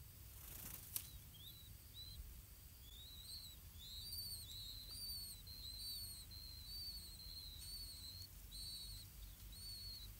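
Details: Feeding time at a Blue-winged pitta nest, with parents bringing earthworms to the young. After a sharp knock, many thin high whistles begin, arched and downslurred, with a fainter higher echo of each, repeating steadily over low rumbling noise.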